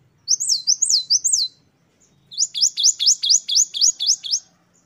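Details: Great tit in full voice, wucit-wucit variation: four slurred high whistles, a pause, then a longer fast string of about ten sharp, repeated whistled notes.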